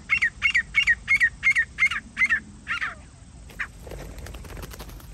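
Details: Grey francolin calls from a partridge-hunting outing: eight quick, harsh notes repeated in an even rhythm, then one or two weaker notes, with faint rustling and clicks as the calling stops.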